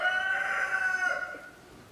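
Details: A partridge Araucana chicken holds one long harmonic call that fades out after about a second and a half.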